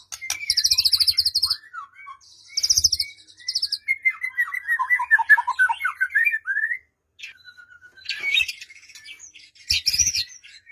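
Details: A white-rumped shama's song used to coax a quiet bird into singing: high rattling trills alternate with a long warbled passage of varied whistles, then sharper rising notes and chips.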